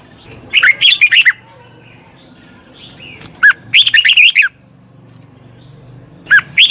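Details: A trained wild-caught red-whiskered bulbul delivers repeated phrases of quick, rich whistled notes, rising and dropping in pitch, in three bursts over a low background hum.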